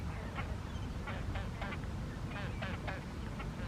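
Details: Great crested grebe at Lazise, Lake Garda, Italy, 23 February 2023, giving loud harsh, nasal barking notes in short irregular bursts, several per second at times, over a steady low rumble of wind.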